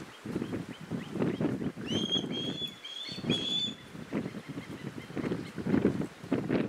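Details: Begging call of a young osprey that has just left the nest, asking its father for his catch; a short flurry of high piercing chirps midway, then only wind roar.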